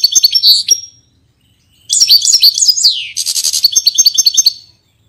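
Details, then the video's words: European goldfinch singing: bright, high tinkling twitters and trills, a short burst, a pause, then a longer run with a downward slurred note and rapid buzzy chatter. "Pintassilgo Português"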